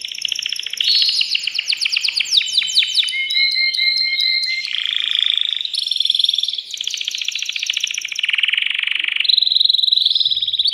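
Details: Male canary singing to stimulate a female for mating, in a cage; rapid varied song of fast repeated notes, buzzy trills and sweeping whistles, shifting between distinct phrases every second or two.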